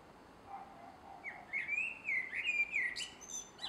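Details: At dusk in a garden, 3 July 2016, a male blackbird gives a mellow warbled phrase of rising and falling whistles, finishing with thin high twittering notes after a soft low murmur.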